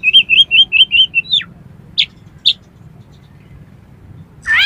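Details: Oriental magpie-robin song used to prompt competition birds, full of 'miuntah' fill: six quick looping whistled notes in a row, a downward slur, two isolated sharp chips, then a loud rising phrase.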